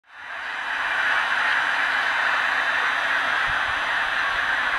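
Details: Steady broadband static hiss fades in during the first second and holds at an even level throughout, with no animal calls.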